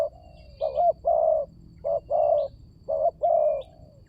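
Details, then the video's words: Spotted dove lure call used to draw in other doves: three low cooing phrases, each a short wavering note followed by a longer steady coo, about a second apart. Faint high chirps of small birds in the background. "Pancingan burung tekukur berkhasiat"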